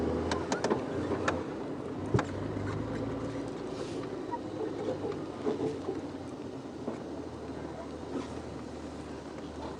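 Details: A steady vehicle engine rumble with faint clicks and knocks, and no animal calls.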